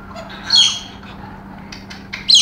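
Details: Pet female galah in an unusual burst of excited, crazy behaviour, with other birds nearby: two brief harsh high screeches separated by a quiet gap, with low background hum.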